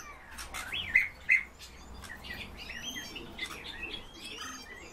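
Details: Eurasian bullfinches kept by their owner: two loud, short whistled notes near one second, followed by softer scattered whistles and faint clicks over a low hiss.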